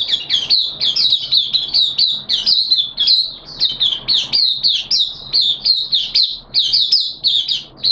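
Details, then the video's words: Caged oriental white-eye opening into song on the second day of a monthly deworming treatment, September 2022: a long, rapid, steady string of high chattering twitters with very short gaps. "Mata Puteh T Rex Buka Sing"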